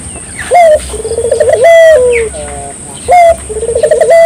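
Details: Barbary dove song in a lively style, for drawing local doves into singing: a sharp low note, then a rapid pulsed roll and drawn-out fading coo, the phrase repeating twice in quick succession over soft background noise.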